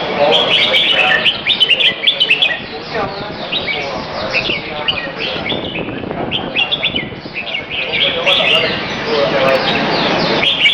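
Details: Pet red-whiskered bulbul during an afternoon exercise session, about 2:15pm, 22 February 2017, Serangoon North Ave 1. Rapid, lively chirped and warbled notes come in bursts throughout, with a murmur of voices and hum underneath.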